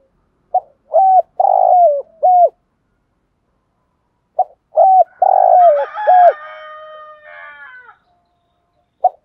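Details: Decoy spotted dove giving its calling coo early in the morning; two phrases of short lead notes and mellow hollow coos about four seconds apart, the second overlapped by a rising nasal harmonic drawn-out call, then a final short note.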